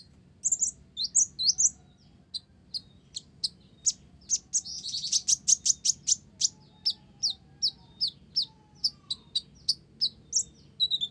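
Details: Olive-backed sunbird, singing with Java sparrow imitation, gives a long sequence of high, clipped chirps that settle into a steady, rapid series of evenly spaced ticking notes, roughly three per second.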